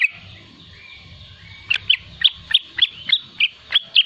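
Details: Young yellow-vented bulbul in riwikan style, song used to lure and tutor young birds: faint thin whistles at first, then about ten loud, sharp, slurred chirps repeated roughly every third of a second over a low hum.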